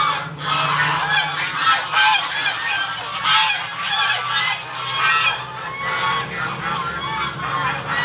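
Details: Several geese at a home make noise while waiting for breakfast; continuous chorus of harsh, overlapping honks rising and falling in waves throughout, over a faint low hum.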